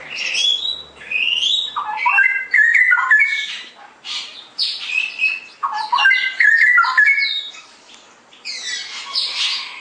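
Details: Straw-headed bulbul singing energetically in the ngeroplek style, two long bursts of loud, liquid, gurgling warbled phrases with quick rising and falling notes, separated by a short pause and mixed with sharp high chirps.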